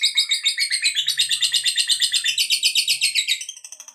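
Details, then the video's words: Lovebird in long ngekek trill, a sound for provoking rival lovebirds to sing: quick repeated harsh chirps, about four per second, sliding slightly lower in pitch midway and fading near the end. "Suara Burung Lovebird Ngekek Panjang, TOP Buat Pancingan Lovebird Agar Cepat NGEKEK"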